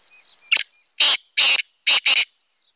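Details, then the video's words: Black francolin (kala teetar), recorded 25 July 2020, giving a harsh, grating call of five loud rasping bursts within two seconds, the last two close together, against an otherwise quiet background. "kala teetar Awaz"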